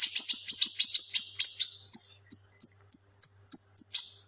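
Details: Male leafbird singing for training other songbirds: a rapid series of sharp, rising, chipping notes, about three per second, flows into steadier high whistled notes at an even pace.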